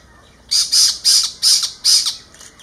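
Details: Spotted owlet giving its screeching call in Ahmedabad, Gujarat, recorded on a Nikon camera: five harsh, hissing screeches about half a second apart, each rasping and noisy, over a quiet background.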